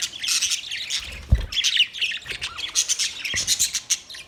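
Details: Budgie colony in a parrot setup: rapid, high-pitched warbling chirps and squawks overlapping, rising and falling in short pulses, with a single low thump partway through.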